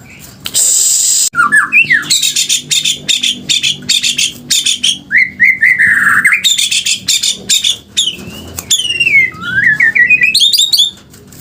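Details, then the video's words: White-rumped shama of the F2 line singing in the fierce muntah beling style: a loud, rapid medley of sharp whistles, buzzy trills and rising and falling slurred notes, nearly continuous, after a brief harsh burst at the start. "Murai batu seri f2 muntah beling"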